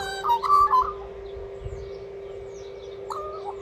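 Australian magpie giving a short burst of rich, fluting notes that step up and down, then one more phrase three seconds later, over a steady low hum.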